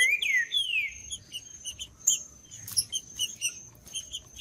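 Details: Green-winged saltator in the woods opening with two strong, falling whistled notes, followed by a busy patter of short high chirps from other birds over a steady shrill background tone.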